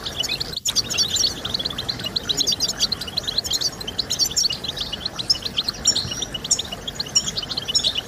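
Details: European goldfinch song played to stimulate other goldfinches to sing: dense, fast twittering of high, liquid chirps and trills, continuous throughout, with overlapping phrases and a steady faint background hiss.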